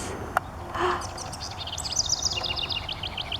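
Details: A newly migrated House Wren (Troglodytes aedon) sings in a backyard: a fast, bubbling cascade of high chattering notes tumbling downward over about two seconds, after a brief rustle and faint background noise.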